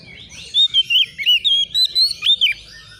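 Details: Agitated young white-rumped shama answering a rival: a quick run of clear, fluty whistles, swooping up and down, roughly nine loud notes packed into two seconds.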